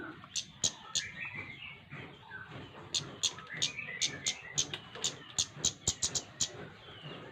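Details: Energetic flowerpecker with a quiet start, then a long series of crisp, high ticks speeding up toward the end, faint chattering whistles underneath.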